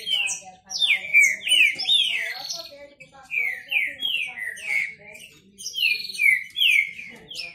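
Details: Green-winged saltator males in a song contest: loud, clear whistled phrases, each a quick slurred note falling from high to mid pitch, given in rapid overlapping bursts as rivals answer one another, with faint background chatter.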